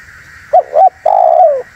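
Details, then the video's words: A single spotted dove phrase, played to lure and provoke wild doves: two short coos, then a long slurred coo that gradually falls in pitch. A faint steady hiss runs underneath. "SUARA BURUNG TEKUKUR UNTUK PIKAT DAN PANCINGAN"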